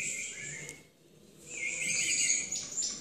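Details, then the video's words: A Timbrado canary in competition gives a brief, slightly slurred whistle and falls quiet for a moment. It then resumes with a rippling trill of rounded, looping notes. "CANTO DE MIS TIMBRADOS EN CONCURSO"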